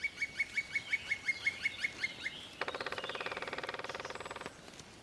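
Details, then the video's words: In spring in an ancient Western European beech forest, a Black Woodpecker gives a run of about a dozen clear, ringing notes, then a fast two-second drumroll of rapid even strikes, described as its mating call. "this Drilling sound is one of the natural sounds of spring it's the black Woodpecker's mating call"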